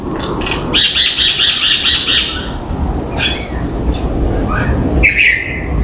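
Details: Common myna calling on a balcony: a rapid run of harsh, rasping repeated notes lasting over a second, then scattered short squawks and a buzzy note near the end over steady low background rumble.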